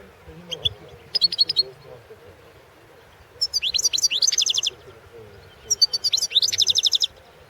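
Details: European goldfinch singing in a competition recording from the 2016 World Championship in Goldfinch Song: three separated bursts of bright, high twittering notes and fast chattering trills, with short pauses between phrases over a faint low hum.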